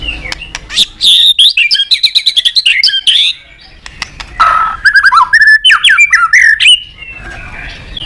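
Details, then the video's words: White-rumped shama song for stimulating other birds: rich, varied phrases of quick whistles and chattering notes, pausing briefly, then resuming with fluty slurs and sharp clicks. "Suara Terapi Burung Murai Batu Gacor Emosi"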